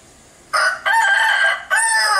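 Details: Bangkok chicken giving a strange-sounding call: three loud, harsh, buzzy bursts after half a second of quiet, the middle one longest and the last cut off.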